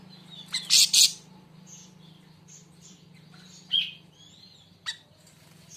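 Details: Siri siri raja, also called siri siri besar, giving short sharp high chirps, a loud burst near the start, then scattered thin whistles and clicks over a low steady hum.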